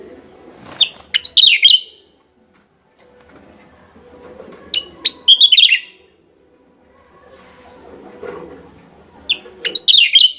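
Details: Lure call of a Javan myna, West Java: three bursts of clipped, harsh chattering notes mixed with bright slurred whistles, spaced roughly four seconds apart, with soft low rumbling between them.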